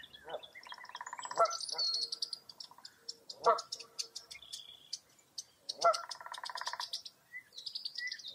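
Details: Foggy early-April daybreak at Mirror Lake State Park in Wisconsin, with several birds overlapping: fast buzzy trills, high chattering notes and three loud harsh honks spaced a few seconds apart.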